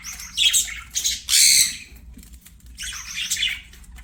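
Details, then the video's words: Budgies singing during play, with loud rasping squawks and chattery buzzes in quick bursts, one harsh outburst standing out, followed by softer twittering. "BUDGIES SINGING PLAYING"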